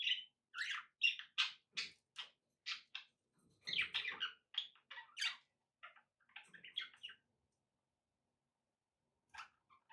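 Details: Pet budgerigars giving a quick series of clear repeated chirps, then scratchier chatter with faint background noise, and a long quiet stretch before one last chirp.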